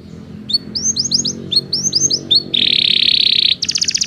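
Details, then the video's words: Belgian canary singing for the training of non-singing canaries: groups of rising chirped notes, then a dense sustained buzzy roll of about one second and a brief fast high trill, over a faint low background hum. "Canto de canário belga"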